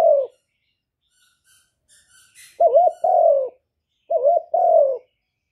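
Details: Spotted dove, 'hạp Bổi' song style used to lure doves for trapping: the tail of one coo, then two phrases each made of a quick wavering note and a longer falling coo, with faint high rustles early on.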